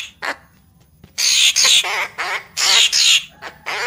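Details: Papuan magpie-robin lure recording: after a short quiet start, harsh rasping bursts follow one another rapidly, some with wavering trilled texture, in a steady chattering sequence.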